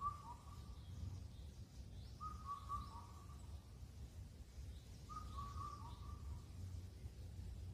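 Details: Indian cuckoo calling on Cheonmasan in Incheon, Korea, in late spring through the night. Three clear four-note whistled phrases, each with a falling last note, repeat about every three seconds over a steady low background rumble.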